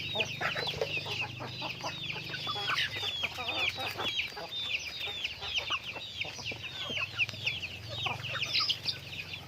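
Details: Chickens in daily activity, a flock making rapid, high, chirping clucks in dense overlapping runs, with a low hum in the background.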